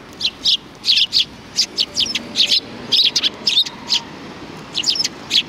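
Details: Sparrows chattering behind a civic cultural hall on 17 January 2020, an unbroken stream of bright, clipped chirps, often in pairs, about four each second, over faint low background noise.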